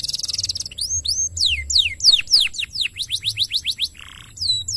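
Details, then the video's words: Canary master song: a fast high trill opening into a run of loud descending swooping whistles, about three or four per second, with a short buzzy note near the end. "MASTERAN KENARI GACOR DURASI TOP PALING DI CARI....."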